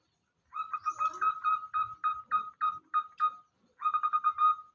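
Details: Local zebra dove caught in a rice field: a steady run of short mellow coos, each falling slightly, then a pause and a fast stuttering series closing with a longer coo.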